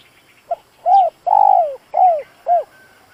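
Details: Decoy spotted dove calling to lure wild doves. One cooing phrase: a short soft note, then a long, hollow coo that falls at its end, followed by two shorter falling coos. Faint thin chirps sound in the background.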